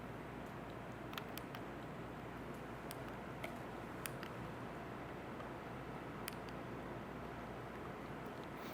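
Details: Quiet hiss with scattered faint ticks and clicks, and no animal calls.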